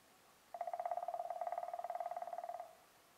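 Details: Common crane (Grus grus) at Veliki Lipoglav on 25 February 2024 gives a loud, rolling trumpeted call lasting about two seconds, a rapid burr of pulses on one mid-pitched note, against a quiet background.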